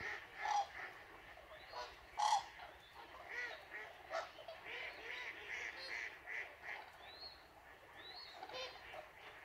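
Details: Red-crowned cranes calling: a loose chorus of loud, harmonic honking and trumpeting notes from several birds, overlapping at irregular intervals, with a few higher, shorter notes near the end.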